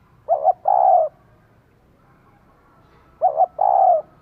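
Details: Two coo phrases about three seconds apart from a female spotted dove used to excite a male, each a quick double note followed by a longer husky rolling coo, in a quiet setting.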